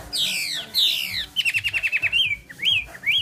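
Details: Chinese hwamei delivering two bright, descending whistled sweeps, then a rapid series of about ten evenly repeated short notes, closing with upward-slurred whistles.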